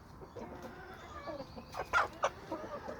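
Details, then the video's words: Homestead chickens and roosters: low clucking builds to two loud, abrupt squawks close together near the two-second mark, then quieter clucks trail off. "Homestead Chickens & Roosters"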